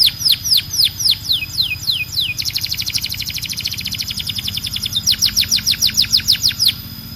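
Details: Loud canary song: a series of falling whistles, then a fast, rolling pulsed trill, followed by crisp repeated downward sweeps about four per second.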